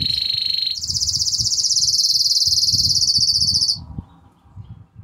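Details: Intense yellow Belgian canary singing a loud, very fast trill that shifts from a lower tour to a higher one and stops abruptly, followed by quiet room noise.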